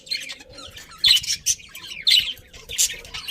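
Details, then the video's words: Happy budgerigars from a colony give bursts of bright chirps and squeaky warbles roughly once a second, separated by quieter chatter. "Happy Budgies Chirping Sounds"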